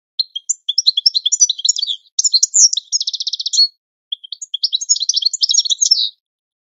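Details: European goldfinch singing a training song, a long tumbling series of tinkling, twittering notes with a steady buzzy rattle in the middle, a short break, then more liquid chatter, high-pitched throughout.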